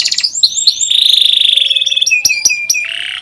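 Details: Canary tutor song for teaching young birds and drawing out reluctant singers. Brief chirps lead into a long steady high buzzing trill, then a few sharp clicking notes and a lower rasping roll.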